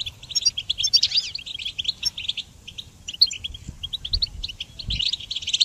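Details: Goldfinch singing, used as training song for songbirds: quick bursts of bright, liquid twittering notes with short gaps, some sliding whistles near the start, and a faint low hum beneath.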